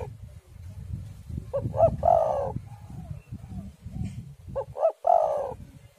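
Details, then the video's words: Spotted dove singing, a recording meant to lure doves and get them singing: two mellow cooing phrases of quick lead-in notes then a drawn-out purring coo, about three seconds apart, with low rumbling wind beneath. "tekukur super gacor suara angin ribut"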